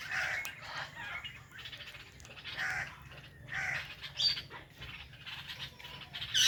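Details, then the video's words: Indian ringneck parrot living with a blue ringneck: soft rounded chirps repeated about every second, mixed with occasional sharper squeaks and a quiet steady hum. "Our Blue Ringneck Parrot | Natural Parrot Chirping Sounds and Voices"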